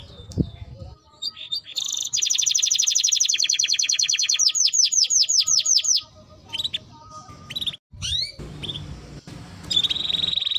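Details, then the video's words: Timbrado canary song: a long rapid high trill running about four seconds, breaking into slurred descending notes, followed by scattered short chirps and sweeping whistles with softer gaps between. "Canary Bird Singing Timbrado canary singing beautiful melody"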